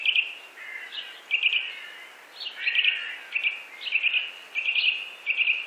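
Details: Eurasian nuthatch calling in clusters of quick, sharp, high ticking notes, repeated roughly every half second to second, over a steady background hiss.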